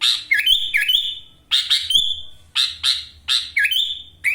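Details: Sooty-headed bulbul, a kept singer from Wonosalam, East Java, pouring out loud phrases: rough bursts dropping and rising into ringing level whistles, repeated briskly around six times.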